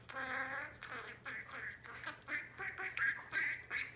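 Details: A pet female budgerigar mimicking human speech chatters in quick, scratchy, word-like bursts, several per second, with harmonic syllables and buzzy rising notes in a low, squeaky voice.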